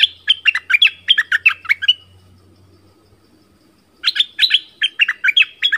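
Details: Lure song of an Orange-bellied flowerpecker, used to call in wild birds and train chicks: rapid strings of crisp, high chirps about three per second, broken by a two-second silence before a second string.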